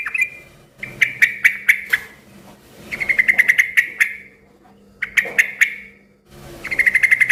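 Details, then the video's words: Yellow-vented bulbul in noisy, energetic song, used to get other bulbuls answering: rhythmic bursts of quickly repeated bright notes, several rounds with short gaps between them. "suara kicau trucukan gacor ribut yang satu ini suka bikin burung trucuk lain ikut NYAUT BUNYI RIBUT"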